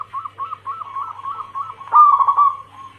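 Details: A female zebra dove calling the male, used as a lure for local and Bangkok crossing cemani birds: a soft, rolling cooing trill of quick repeated notes, swelling into a louder, sustained burbling coo near the end.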